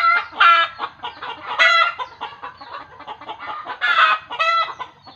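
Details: Chicken alarm, tied by village belief to seeing a ghost: a string of fast clucks broken by loud, harsh, harmonic squawks near the start, middle and end.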